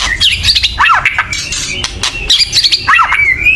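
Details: White-rumped shama giving a loud agitated chatter meant to stir other birds into singing; harsh buzzy downward slurs and high squeaky notes in quick bursts, two similar phrases about two seconds apart over a noisy background.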